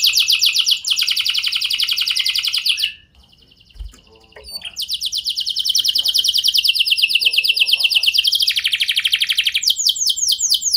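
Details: Canary singing as bait so other canaries respond: rapid rolling trills, a quiet gap of about two seconds, then a long sustained trill of fast repeated notes that drops slightly lower before finishing in sweeping phrases.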